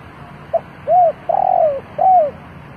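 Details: Spotted dove used as a decoy, cooing to lure wild birds: a short soft note, then three low, hollow, arched coos in quick succession, the middle one longest and slightly wavering, against a quiet background.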